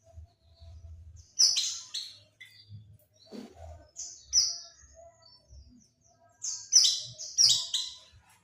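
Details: Oriental white-eye lure call used to attract birds: short, high, bright chirps in quick clusters, some doubled, separated by pauses of a second or more, over faint low thumps and hum.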